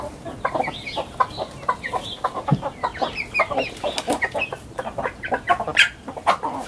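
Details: Morning release of chickens from the coop into a garden, big and small birds running out. Quick overlapping clucks and a few higher squeaky notes, busy and continuous.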